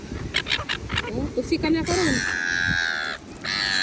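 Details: Gulls squabbling over food at a beach: a man speaks briefly, then a long, steady, nasal wailing cry is held for over a second and repeated, over a low rumble.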